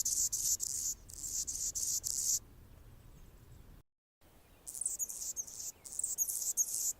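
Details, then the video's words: Anna's hummingbird singing on a branch in Golden Gate Park, San Francisco, California: grating, pulsed, very high buzzy phrases for two seconds, a quiet gap with a brief dropout, then the scratchy song resumes. "Anna's Hummingbird (Colibri) singing on a branch"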